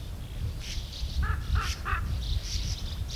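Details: Sand martins in a colony of over 100 birds give a few short, dry, rasping calls over thin, high chatter from the colony, with a heavy low rumble of wind underneath.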